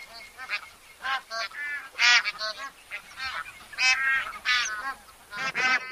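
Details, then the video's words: Bar-headed goose (Anser indicus) calling with repeated loud nasal honks, harmonic-rich and irregularly spaced, some sharper and higher-pitched, with a faint steady hiss in the background. "Bar-Headed Goose [Anser Indicus]"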